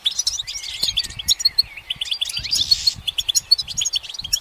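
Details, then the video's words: Goldfinch perched in sunshine, delivering a fast jingling series of sharp chirps and trilled twitters, with a buzzy, rasping stretch midway and faint low knocking behind. "Notes of Encouragement The goldfinch's motivational song"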